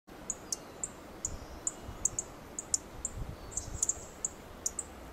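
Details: A dark-eyed junco perched on a twig in a Coast Live Oak gives sharp, very high chip calls, about a dozen in five seconds at an uneven quick pace, over a faint low rumble.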